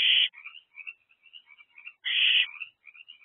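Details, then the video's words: Barn owlet back in its nest box on the evening of 20 April 2024, begging for food: two short loud harsh hissing bursts about two seconds apart, with faint soft chittering notes between them. "Owlet Returns to House After Being Away. Calls For Food."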